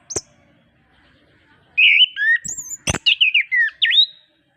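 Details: Orange-headed thrush in lively song, a master recording for reluctant birds: after a single high note and silence, a run of clear whistled phrases with a sharp click midway.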